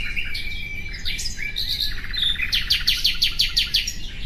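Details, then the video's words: Common nightingale in song: opening with whistled and warbling notes, then a fast, loud run of evenly repeated pulsed notes in the second half, over faint low background noise. "Bülbül sesi"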